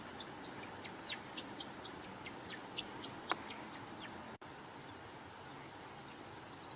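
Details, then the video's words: Male American woodcock in its courtship sky dance: a rapid, uneven twittering of thin, high chirps, about two per second, over a soft hiss. The chirps are not vocal but made by three narrow outer primary feathers on the wings. "Listen carefully to the noises that the woodcock makes during this display."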